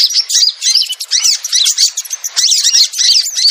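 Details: Continuous, excited high-pitched chirping and trilling from crimson sunbird, a lure call, with closely spaced squeaky notes and almost no pauses.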